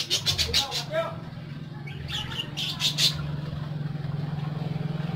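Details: Pet parakeets give quick, high, scratchy chirps in two short bursts over a steady low engine-like hum.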